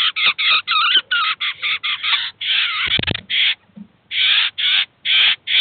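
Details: Eurasian jay with chicks at a cheese feeder in Kaluga, the adult teaching and feeding them: rapid series of loud, coarse rasping calls, briefly broken by a knock, then several more spaced screeches.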